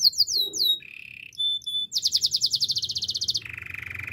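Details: Singing canary moving through contrasting tours: quick descending whistles, a flat mid-pitched tone, short high pips, a rapid bright rattling trill, then a lower sustained buzzy roll.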